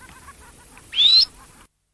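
A red-necked phalarope gives a single sharp, high chirp lasting about a quarter second and rising slightly in pitch, over faint softer twitters in the background.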